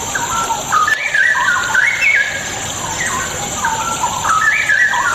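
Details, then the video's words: Straw-headed bulbul song intended to provoke unwilling birds to sing: two long bubbling phrases of liquid, fast-changing whistles, rising and falling, with a quiet gap between and steady hiss throughout. "100% AMPUH UNTUK PANCINGAN CUCAK ROWO MALAS BUNYI"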